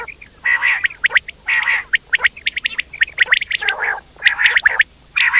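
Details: Quail calls in a busy sequence: rasping harmonic bursts interleaved with quick high chirps, some lower grating notes near the middle, almost continuous for five seconds.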